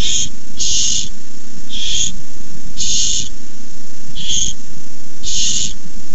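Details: Young barn owls in a nest beg on delivery of a rat, giving harsh breathy screeches in short uneven bursts, about six in a few seconds, over constant low rumble.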